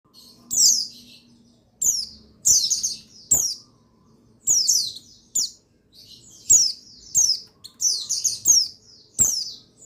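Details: Male buxtoni white-eye, recorded 8/8/21 and used to rouse other white-eyes into song: high, thin chirps that slur downward, given in short bursts with gaps of about two seconds, plus sharp dry clicks and taps.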